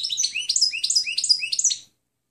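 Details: Clean European goldfinch song, recorded for training other birds to learn: bright twittering phrases of rapid, liquid notes between high thin whistles, repeated in quick bursts for nearly two seconds before ending.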